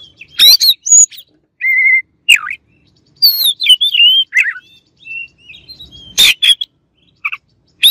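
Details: White-rumped shama in full song: crisp high chirps, looping whistled phrases and rapid twittering notes, loud and varied with short gaps between bursts.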